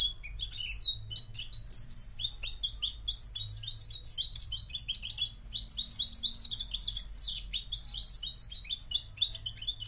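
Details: Moroccan goldfinch in sustained song, a fast liquid stream of high twittering notes and quick trills that runs without pause for about ten seconds.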